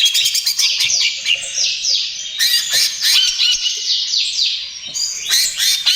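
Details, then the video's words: Greater green leafbird in lively 'trotol gacor' song, aimed at luring and calming other birds. Cascades of falling slurred notes and scratchy chatter run continuously, with a louder harsh outburst midway. "SUARA CUCAK IJO TROTOL GACOR, AMPUH UNTUK PANCINGAN DAN TERAPI"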